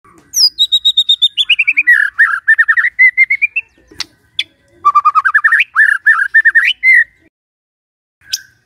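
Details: White-rumped shama in vigorous song: a high whistle dropping into a long rapid chain of clear notes, a pause with a click, then another fast rising series, ending with a single soft note.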